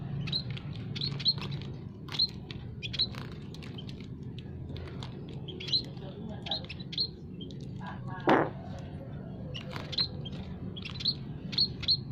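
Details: Emprit kaji, peking and jawa munias in an aviary give thin, high chirps, several birds overlapping in quick irregular bursts, over a steady low background rumble with one louder buzzy note.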